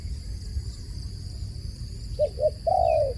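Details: Dove calling with two short soft coos followed by a longer, slightly falling hooted note, low and mellow, with constant faint hum behind.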